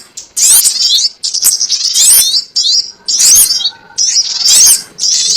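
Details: Trapping lure of the sogon ontong, delivering choppy phrases of thin, piercing chirps and fast squeaky trills, with irregular gaps between the bursts.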